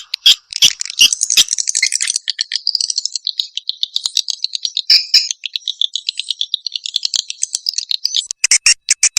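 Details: Swiftlet lure call: a continuous chattering twitter of fast pulsed notes, shifting pitch, ending in a few loud clicks.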